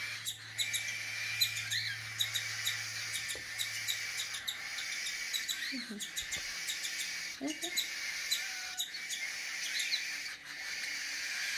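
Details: A hand-fed cockatiel chick about 7 weeks old, fed twice a day with a rubber nipple, gives a continuous raspy, high-pitched begging chatter with rapid ticking pulses.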